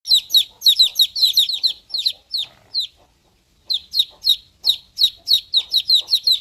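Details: Baby chicken chicks chirping: high, thin, downslurred peeps, repeated rapidly about three times per second, with a short silent gap in the middle, then the peeping resumes.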